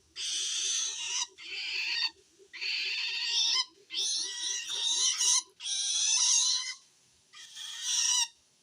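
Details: Threatened long-tailed shrike calling wild shrikes with loud grating rasps: six noisy bursts roughly a second each, a soft regular ticking audible beneath the first half.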